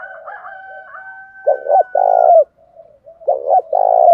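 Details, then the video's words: Spotted dove song meant to goad rival doves: a faint steady higher whistle-like tone runs behind, then two deep, rounded coo phrases of paired hoots with a soft mutter between. "Chim cu gáy thúc đấu giọng hay"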